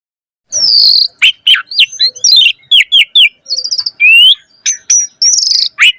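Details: Asian pied starling in active 'gacor' song packed with 'isian' mimicked fill-ins, used to spur other starlings: varied whistles, rapid trills, downslurred chirps and a buzzy rattling phrase, loud and continuous.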